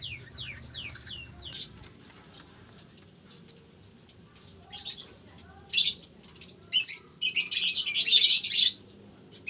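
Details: Farm-bred canary: several slow high downward-sliding whistles, then a steady run of short clipped notes about two per second, ending in loud buzzy rattling bursts.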